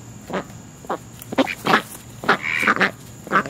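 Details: Friendly family of American black ducks near a house, being fed dinner by a person; short, clipped quacks come in scattered bursts, with a man's voice talking to the birds in between.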